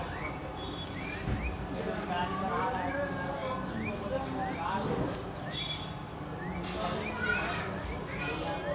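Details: A pair of house sparrows, phone-recorded: short, bright upslurred chirps, several a second in loose bursts, over a busy background of voices and low rumbling noise.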